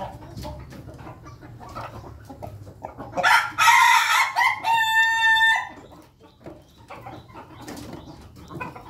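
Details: Ayam Ketawa chickens in a coop, feeding as a group: amid soft clucks, a loud rooster crow bursts out, breaking into a rapid series of clipped, stuttering laugh-like notes before fading back to quiet pecking and murmurs.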